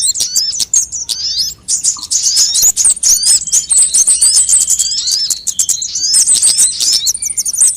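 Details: Assorted sunbird calls played as a lure so birds sing sooner: crowded high-pitched chirps, zippy slurred whistles and short trills, with rapid clicking ticks throughout.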